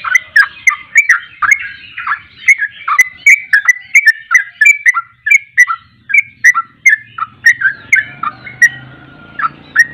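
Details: Sooty-headed bulbul lure recording intended to get birds singing: an unbroken stream of bubbly whistled notes, slurring up and down, with a faint low hum creeping in toward the end.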